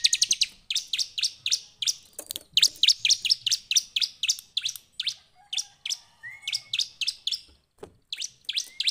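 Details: Bar-winged Prinia in the afternoon singing a fast, high, buzzy chirping series, notes repeated about four per second with brief pauses; a faint whistled note from another bird.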